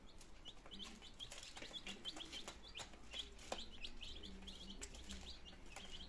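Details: Nineteen chicken chicks on day two, healthy and beginning to eat and drink, Germany, September 2022; continuous high peeping from several chicks, with sharp clicks and tapping sounds throughout.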